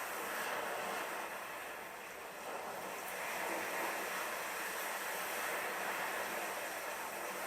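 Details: Continuous broad hiss like distant traffic or rushing water, with no animal voices heard.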